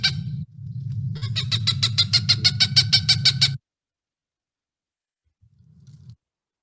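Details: Cooper's hawk, a winter bird more prevalent in the valley than the sharp-shinned hawk, gives a quick series of about a dozen harsh, nasal cak notes, roughly five a second, over a steady low hum.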